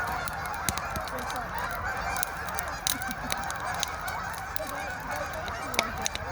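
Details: Canada geese calling as a flock, a dense overlapping chorus of honks with no pauses, heard over steady crackling and popping from a fire.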